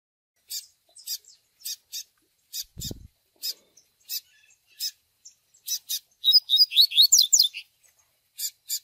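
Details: Double-collared seedeater, a tui-tui style song mixed with nestling peeping, played to train captive birds: sharp high chips repeated about every half second, then a quick burst of rising whistled notes, with one brief low thump.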